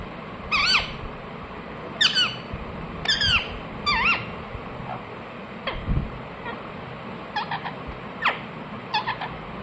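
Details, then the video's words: Pet ring-necked parakeet giving sharp, harsh squawks that drop steeply in pitch, in loose bursts of one to three with pauses, followed by fainter clipped calls near the end; low background hum throughout. "Ringneck parrot Chirping sounds"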